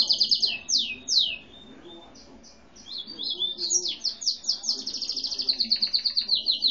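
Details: Pet canary, gray and white with no set breed, opens with sweeping downward notes, pauses, then builds into a long accelerating high trill of evenly repeated chirps, about three per second rising to rapid rolls.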